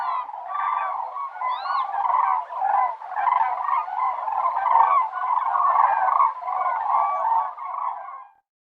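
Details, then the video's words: Crane calls heard as a continuous overlapping chorus of rolling, bugling notes, steady and loud for about eight seconds before stopping abruptly. "Голоса птиц как поёт Журавль (Grus)"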